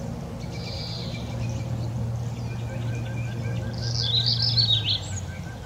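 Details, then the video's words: Birds bathing and chewing food give sparse high chirps, then a brief burst of fast, sharp twittering near the end, all over a constant low droning hum. "Sounds of playful birds chirping, bathing and chewing food"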